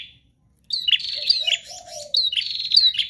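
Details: Prinia in persistent 'gacor' song: dense high twittering chirps in two bursts, a soft low coo drawn out beneath.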